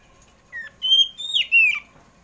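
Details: Short afternoon phrase from a kacer poci Oriental magpie-robin, used as a lure for household birds: a soft opening note followed by two long, bright whistles that bend downward.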